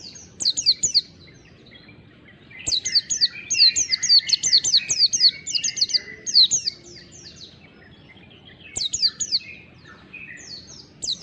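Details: Long standard song of a wild-type mountain white-eye, fast and vigorous: dense runs of sharp high descending chirps in three bursts separated by quiet pauses, with faint background hum.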